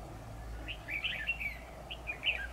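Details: Red-whiskered bulbul used as a decoy bird for trapping, singing in competition on 10 October 2019: a quiet run of short, bright chirps and warbled notes, some slurred up and down, scattered through the stretch over a low steady background hum.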